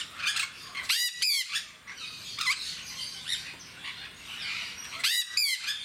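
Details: Captive jenday parakeets at Mysore Zoo: bursts of loud, shrill screeches with rasping, stacked tones, two strong pairs near the start and end, over a steady background of softer chatter from the group.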